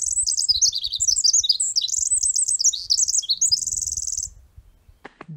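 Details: Pacific wren song: a long, rapid, bubbly cascade of high tinkling notes and trills, ending in a fast buzzy trill after about four seconds.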